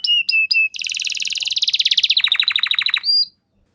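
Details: Canary lure song for song training, 'gacor' style: three short clipped double notes, then a fast buzzy rolling trill shifting into a lower rapid rattle, ending on a brief whistle before silence.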